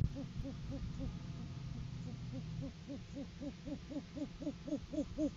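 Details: Great horned owls on a live cam in courting season, with a male bringing food to the female. A steady, fast train of soft low hoots, about four a second, grows slightly louder toward the end over a low hum.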